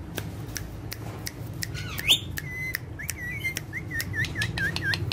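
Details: Two pet ringneck parrots dancing and talking: sparse clicks, a bright upward squeal, then a chain of short, even whistled notes repeated roughly every third of a second, over a low hum.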